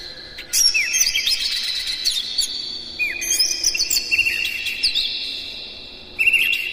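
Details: Oriental magpie-robin singing in the morning, lure song meant to stimulate caged birds: a long, continuous run of high whistles, downward slurs and chattering trills, with a louder burst returning at the close.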